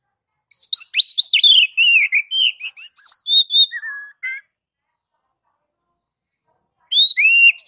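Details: Oriental magpie-robin, locally kacer, in ngeplong song meant to stimulate other kacer: rapid chattering whistled notes for about four seconds, ending with lower slurs. A pause follows, then a fresh burst of whistles.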